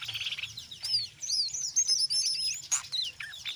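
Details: Brown jongkangan singing a lively ngeriwik chatter mixed with ngeplong, used to lure other jongkangan into singing: continuous fast high twittering, whistled upslurs and sharp chips tumbling together.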